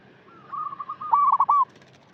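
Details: Local zebra dove, kept as a lure bird, giving a cooing call: a short rising note followed by a rapid run of stuttering coos that ends in a clear, accented final coo.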